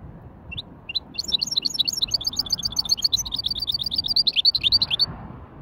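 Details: Hybrid goldfinch singing a light warm-up in the Wedani style: after two short introductory notes, a fast, steady twittering run of high, clipped notes lasting about four seconds, over low background rumble.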